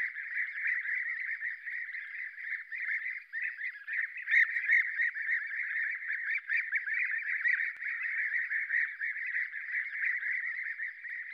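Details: At Děvínská kobyla on 20 July 2019, European bee-eaters call together in a steady chorus of rolling, liquid 'prrup' notes from many birds at once, overlapping without pause.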